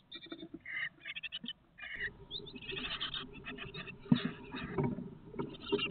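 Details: Great tit chicks in a nest box on fledging day, eight young leaving one after another in late morning between 11:18 and 11:25 after 20 days in the box; rapid high chirps in bursts, with rustling and knocking inside the box.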